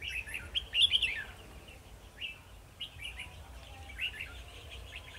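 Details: Red-whiskered bulbul used as a decoy during trapping, singing to provoke rival birds, recorded 2 December 2020. Short chirpy, slurred phrases repeated in quick bursts, with a low background hum.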